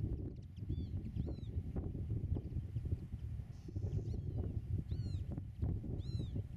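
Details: Pied avocet near its nest in a Dutch meadow, recorded from 8 metres: scattered soft notes, then two clear arched kleep calls late on, with heavy low wind rumble throughout.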